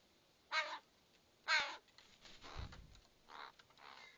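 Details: Young ravens at the fledgling stage, with two loud, rasping caws about one second apart, followed by softer, muffled calls and a low thump.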